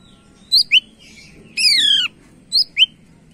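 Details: Greater green leafbird, a lively singer used as a lure bird, gives sharp high whistled notes in pairs, then a long buzzy descending rasp lasting half a second, and another pair of bright whistles; low background hum.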